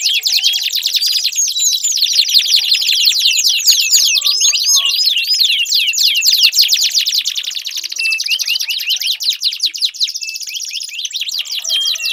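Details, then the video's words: Canary in full long song, offered as a lure for a canary that will not sing: a sustained stream of very fast, high trills and zipping sweeps running unbroken for twelve seconds. "Pancingan Ampuh Kenari Gacor Panjang, 4 Suara Burung Kenari Ampuh Untuk Pancingan Kenari Macet Bunyi"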